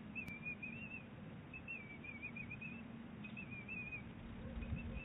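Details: Bald eagles, an eaglet and its mother, calling back and forth at Big Bear Lake on 23 April 2018: thin, high, wavering whistled chitters in three runs, over a steady low rumble.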